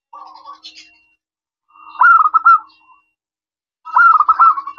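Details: Local zebra dove singing actively in a crystal-toned voice, a lure for answering doves: a faint low coo, then two loud rolling phrases of quick, bright beaded notes separated by silence.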